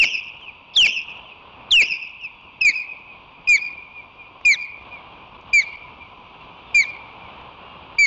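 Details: Nesting ospreys defend their nest against intruding floaters on 17 July 2023; a steady run of shrill, descending whistled yelps, roughly one per second for eight seconds, over a constant low hum.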